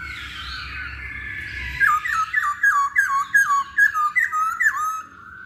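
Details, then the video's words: Lure recording of masked laughingthrush song meant to set other birds singing. A soft blurred warble gives way to a loud run of about ten ringing, hooked whistles at a steady pitch, delivered in quick succession. "Pancingan Poksay Hongkong"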